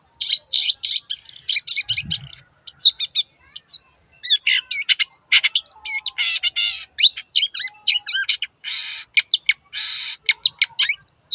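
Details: Vigorous song of a long-tailed shrike (cendet): dense, fast, scratchy chattering in a continuous stream of sharp, high notes and rasping bursts, with hardly any pauses across eleven seconds.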